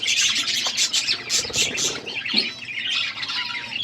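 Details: Budgerigars in an outdoor aviary keep up a dense, scratchy chatter of overlapping chirps and squawks, high-pitched and continuous, with no clear rhythm across the whole stretch.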